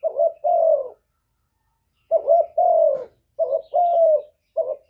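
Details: Spotted dove cooing: repeated low two-part coos, a short note then a longer slightly falling one, in phrases separated by brief silences, with nothing else audible.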